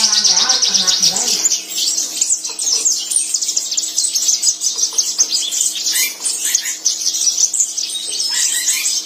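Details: Javan bush lark song from a masteran training compilation meant to make kept larks sing actively: a dense, continuous run of fast, high, sharp chirps and twittering trills, with a brief lower warbling at the start.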